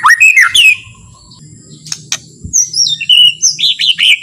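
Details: White-rumped shama's calm, slow song meant to stir rival shamas into singing; rich slurred whistles open, a pause with clicks, then a string of high clear whistled notes rising and falling.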